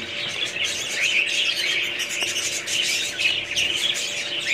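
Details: Budgerigars chattering together, a dense continuous mix of high warbled chirps and short squeaky notes with no pauses, over a faint steady low hum.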